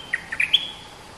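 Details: Streak-eared bulbul, a dominant local bird singing long songs: one brief phrase of four quick rising whistled notes, the last the highest and loudest, over faint background hiss.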